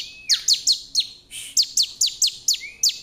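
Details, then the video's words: Challenging song of a bar-winged prinia meant to provoke wild birds, heard as bright high chips that drop steeply in pitch, repeated irregularly, opened by a brief sliding whistle. "suara ciblek gacor menantang ciblek kawan ciblek liar"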